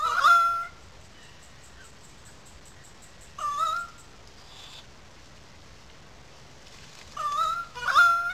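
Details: Currawongs calling loudly in a small gully above the wetlands at Sydney Park, St Peters, Sydney: three bouts of loud, ringing, wailing notes that slide and waver, spaced several seconds apart, with quiet between.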